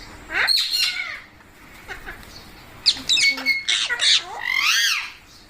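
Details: Green pet parrot, called mitthu, making shrill squawks and wavering, warbled notes while its owner talks to it.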